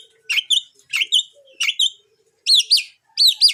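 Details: Long-tailed shrike singing to challenge other shrikes: high, sharp chirps given in quick pairs, each note bending up then down, pairs repeated roughly every two-thirds of a second, with nothing else audible.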